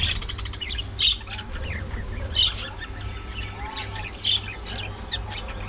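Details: Budgies during early morning feeding time: sharp squeaky calls roughly every one to two seconds among softer warbling chatter from several birds, with a faint whistled slide and a constant low hum.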